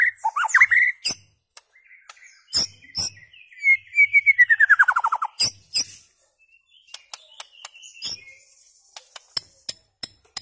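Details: White-rumped shama song for tutoring goldfinches and hybrids; sharp clicks and high notes around a long rapid trill that slides downward, followed by scattered ticks and high notes.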